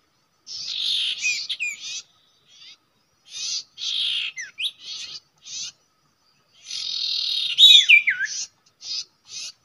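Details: Common iora at its habitual nesting place, a trapping location: long grating, buzzy phrases alternating with short dry bursts, with a few quick whistled slurs that dip downward.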